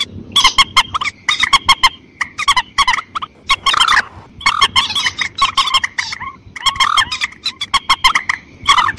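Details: Lure recording of a white-breasted waterhen for hunting in rice paddies. Harsh, honking notes come in rapid clustered series, about one burst per second, steady and insistent throughout.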